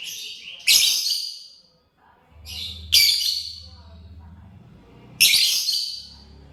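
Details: Lovebird chirping while eating corn: three loud, shrill, harsh chirps spaced about two seconds apart, each opened by a brief softer note and fading quickly, over a faint low hum.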